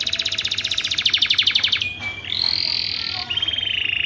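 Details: Canary song meant to rouse birds in breeding condition to mate: rapid dry pulsed trill for nearly two seconds, then a descending whistled note and long bright sustained rolling tones, over steady low background noise.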